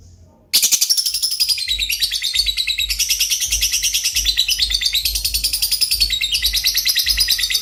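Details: Lovebird in continuous gacor song, dense shrill chattering and squeaky warbling with no pauses, over a faint low hum.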